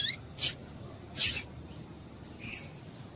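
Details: Female double-collared seedeater calling to excite a male: three crisp, high-pitched chip notes, each roughly a second apart, the last sliding into a thin whistle, over soft low background noise.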